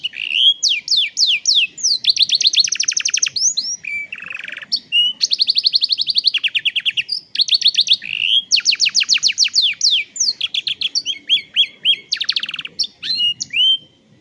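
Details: Cellphone recording of canary song meant to train juvenile canaries: long, continuous performance of rapid trills, rattling rolls and repeated whistled sweeps, changing pattern every second or two, very loud and clean.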